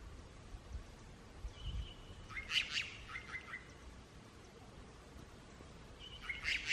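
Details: Unicolored jay in Guatemala communicating with its flock, giving brief chirping notes twice, several seconds apart, with a faint outdoor background.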